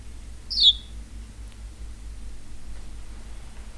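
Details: A pet house sparrow gives one short, high, sharply falling chirp, then stays quiet against a steady low indoor hum.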